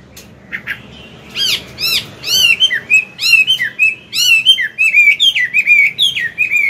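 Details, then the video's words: A Chinese hwamei, described as an old wild bird, sings in the morning with loud, varied whistled phrases, rich and ringing. Notes slur up and down in quick bursts over a faint background hiss. "Luyện giọng họa mi hót sáng"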